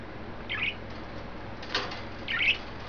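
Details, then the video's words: Three pet budgerigars, one green, one yellow and one white, excited and playful, recorded 29 May 2012: two short, high, twittering chirps about two seconds apart, a soft rustle or flutter between them, over a steady low hum. "excited and playful budgies"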